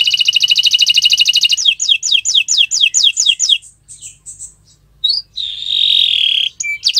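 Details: Canary on a Friday morning singing a rapid buzzing trill, then a chain of sweeping downslurred notes, scattered chirps and a long harsh buzzy note, with faint low background hum.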